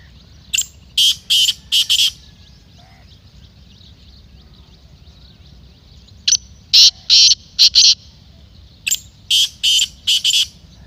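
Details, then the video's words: Black francolin calls three times, every four seconds or so, each phrase a quick series of five or six harsh, scratchy, rasping notes over quiet background. "Kala Teetar masti aur chakri k liye behtareen awaz/Black Teetar Voice"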